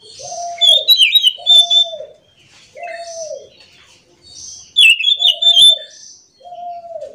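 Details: Morning song of an orange-headed thrush in full rolling flow: two clusters of rapid, twisting high whistles and trills, separated by a pause. Low, arched hooting notes repeat about every second underneath throughout.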